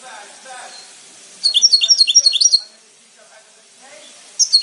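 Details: Goldfinch giving a burst of rapid high twittering notes lasting about a second, with faint murmuring in the background and the start of another phrase at the end.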